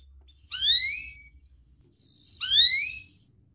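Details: Young, vocal canary with a sharp voice, used as a master recording to lure young canaries into learning song and to stir lazy ones: two bright, sharply rising whistled notes about two seconds apart, a faint low hum beneath.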